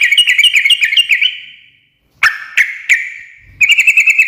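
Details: Sooty-headed bulbul in gacor ngekek chattering, said to draw instant answers from other birds; a quick bubbly phrase with echoing tail, then a few loud single notes and another rapid burst.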